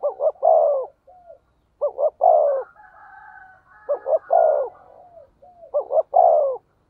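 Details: Spotted dove cooing in the 'thổ sấm' (thunder) voice style, a recording used as a lure to stimulate other doves. Low hooting phrases of two short notes, then a long falling coo, repeat about every two seconds. Softer quavering coos sound between phrases.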